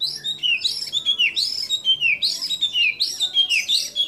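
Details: White-rumped shama pouring out varied song filled with imitations: loud swooping whistles, each dropping sharply in pitch, repeated in quick groups of rich, ringing notes.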